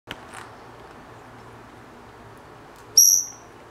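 A Senegal parrot gives a single sharp, shrill whistled squeak near the end, after a stretch of quiet room hum with a faint click at the start.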